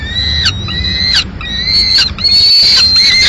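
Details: Male peregrine falcon arriving at a Madrid nest with a live swift on 15 May 2016, the female finishing the prey. Loud, drawn-out harmonic wails come in three bursts, the last one long and steady.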